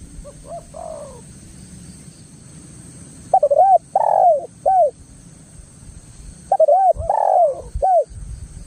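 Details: Loud spotted dove lure cooing, used to draw answers from other doves: after a brief opening coo and a pause, two bursts of quick, bubbling coos arrive, each with a slurred drawn-out note and clipped endings.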